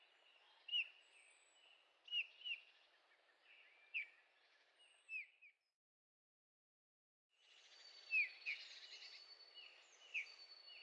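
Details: Eurasian bullfinch in Heringhausen in the Sauerland, Germany, on 15 August 2013, calling with soft, slightly descending piping notes at irregular intervals, about eight in all, interrupted by a break of silence, with a faint higher bird note and background hiss.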